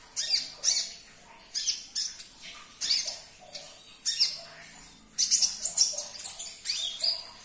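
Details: Sunbird (kolibri ninja) song for coaxing a silent caged bird to sing: loud, high, scratchy chirp bursts about once a second, quickening into a rapid twittering run near the end.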